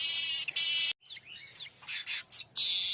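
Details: Streaked weaver song used as a tutor recording for other songbirds such as magpie-robins and shamas: loud, harsh, buzzy bursts of high rattling notes broken by short gaps and squeaky twittering phrases.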